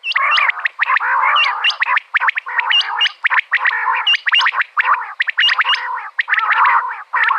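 Common quail female calls: dense, raspy chattering bursts with sharp hooked high notes, repeated almost without pause and broken by brief gaps.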